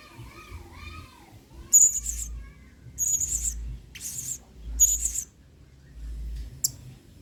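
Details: Male blue-crowned hanging parrot singing emotionally in the 'main singa' style, used as a tutor song for training other birds: four short, shrill, very high piercing bursts about a second apart. Lower wavering whistles come first, with faint background noise.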